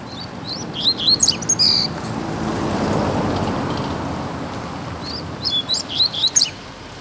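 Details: Wild double-collared seedeater singing in a neighbourhood: two bursts of high, fast, chattering notes separated by a swelling rumble of passing traffic.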